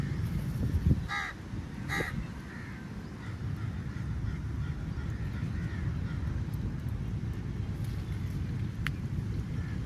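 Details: Crow feeding on meat, described as angry: two harsh, nasal caws about a second apart early on, then only quieter faint calls over a steady low rumble of background noise.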